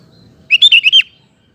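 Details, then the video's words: Sooty-headed bulbul in energetic song used to draw males into singing: one fast phrase of four rolling whistled notes, rising and falling, against a faint low hum. "Kutilang Gacor Ampuh untuk Pancingan Maupun Masteran Burung"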